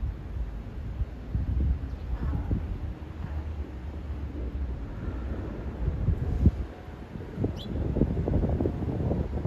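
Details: Steady wind buffeting and a low rumbling hum, with no clear animal call standing out.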